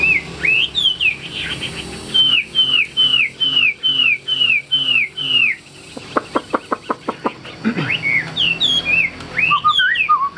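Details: Rich whistled song from a tame hwamei kept in a cage: looping downward-sliding notes in a steady string, then a fast run of sharp clicks and more varied whistles at the end.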